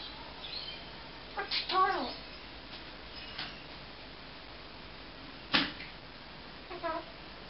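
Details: A male pet Eclectus parrot talks in a quiet room, uttering a few short, speech-like phrases with a human-sounding lilt several seconds apart, including "tickle or kiss", which he put together himself.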